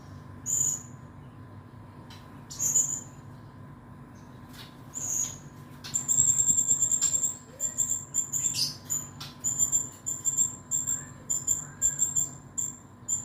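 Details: Male blue-crowned hanging parrot, a singing bird kept for tutoring other birds and for contests, gives thin, very high sharp whistles, first spaced about two seconds apart, then a fast run of rapid repeated high notes.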